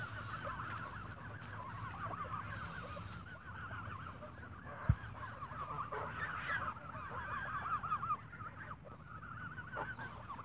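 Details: A flock of geese squabbling as they are fed bread in the evening, giving steady overlapping nasal honks that swell louder toward the middle, with one sharp tap.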